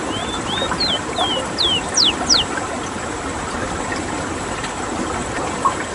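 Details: Rowti, the ruddy-breasted seedeater, a rare bird from Suriname, giving a rolling song: a quick run of clear slurred whistles, some rising and some falling steeply, over about two seconds, then steady background hiss and hum.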